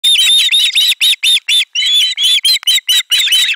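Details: Ospreys at a Finnish nest camera on 18 July 2022 screaming loudly in chorus as a fish is brought in: shrill, upslurred whistled squeals, many overlapping, in fast irregular bursts with brief gaps.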